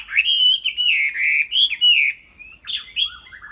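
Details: Chinese hwamei, a tame captive bird, sings clear, drawn-out fluty whistles that slide and waver across its range, followed by shorter rising and falling notes.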